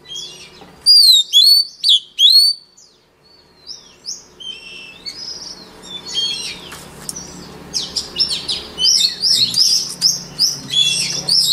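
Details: White-rumped shama, a voice-training model for other shamas, gives loud clear whistled phrases twice near the start, then a pause and a busy stream of quick varied notes and chatters over a faint low hum.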